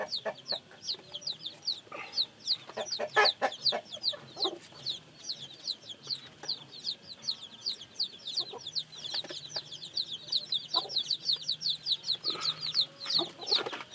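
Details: A long stretch of newly hatched chicks chorusing, dense rapid high cheeps that slur downward and overlap, interrupted by sharp clicks and occasional low thumps.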